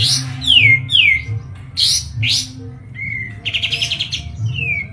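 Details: White-eye (kapas tembak) from Medan, Indonesia, singing hard: sweeping falling whistles and sharp chirps, ending in a fast rattling trill and a final slurred whistle, over a quiet low hum.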